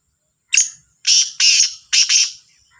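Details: Black francolin, called kala Sindhi teetar, calling in the morning, labelled Sahiwal teetar: a harsh, grating phrase of one short note followed by two long rasping notes and a final doubled note, all within about two seconds, in near silence.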